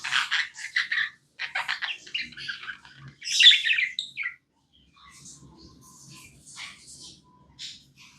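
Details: Domestic budgerigar chatters in quick clicky, buzzy chirps for about four seconds, then quieter scattered notes over faint low background rustling.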